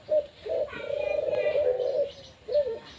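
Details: A pet puter, or Barbary dove, performing: a short low note, then a long throaty trilled coo, ending with another brief coo, with a faint voice in the background.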